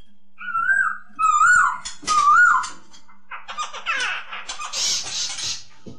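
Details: Song of a masked laughingthrush, known locally as poksay hongkong: three clear, wavering whistled phrases, then a run of rougher, chattering, scratchy notes that fade out.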